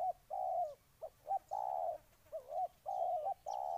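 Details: Low mellow cooing of a spotted dove from Ninh Thuận, Vietnam: long steady coos broken by quick short notes, fairly loud and close, with faint thin high sounds behind.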